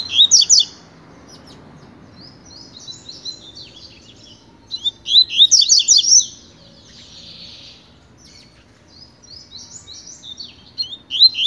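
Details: Tui-tui song from a Double-collared seedeater tutor, pure style, used for training: three bright bursts of fast high chirps with quieter twitters and a short buzzy note between them.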